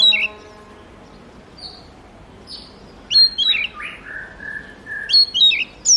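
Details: Oriental magpie-robin: scattered short whistled and twittering phrases with pauses between bursts, some notes sliding, others clipped and high, over quiet background.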